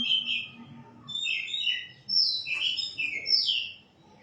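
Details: White-rumped shama song of sweet, slurred whistles rising and falling in quick succession, building into a louder, ringing phrase before fading.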